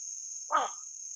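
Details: A dark-morph Pacific reef heron (Egretta sacra) gives one brief, hoarse, croaking squawk, while a steady high-pitched whine, possibly insects, runs throughout.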